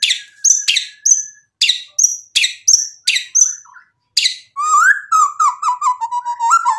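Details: White-rumped shama in energetic song meant to draw other shamas into replying; a series of sharp, clipped notes about twice a second, then a rolling, bubbling warble dropping slowly in pitch.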